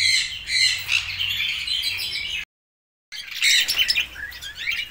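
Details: Red-rumped parrots chattering with high chirps and scratchy squawks. The calls stop for a short silent gap midway, then resume as loud, quick, sharp notes.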